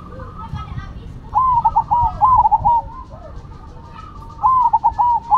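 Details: Zebra doves of the Cemani and Silver varieties cooing: two bursts of rapid, rolling notes separated by quieter coos from another dove in the background.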